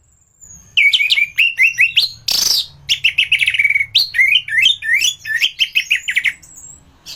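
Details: Gacor orange-headed thrush used as masteran to teach other birds: a long fast stream of bright whistled notes, rising and falling in quick chains, broken by one harsh rasping burst.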